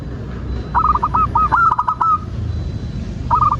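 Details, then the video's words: Zebra dove, local type, used as a lure to prompt singing: a quick rolling run of hooked coos, then a short restart at the end, over steady low background rumble. "Perkutut loka gacor pancingan agar burung perkutut BUNYI dan GACOR"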